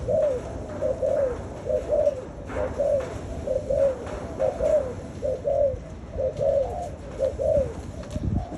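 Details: Pet spotted dove cooing steadily: short hollow notes, often paired, come about once a second against a loud, steady background hiss and low rumble.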